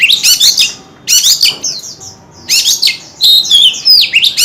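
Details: With its tail spread, a white-rumped shama delivers dense chattering phrases, a pause, then more chattering bursts followed by clear descending slurred whistles.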